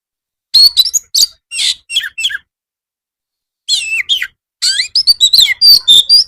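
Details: Oriental magpie-robin giving a vigorous master song meant to make other birds reply, for afternoon practice: short separated bursts of buzzy, scratchy and whistled notes, a pause, then faster overlapping phrases with clear high whistles.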